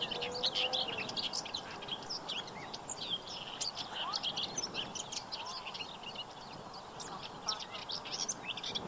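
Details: Black-winged stilts in spring at the Séné nature reserve in Brittany, France, on 15 April 2023: a dense chorus of short, sharp, yelping high notes from several birds, overlapping constantly, over soft background rumble.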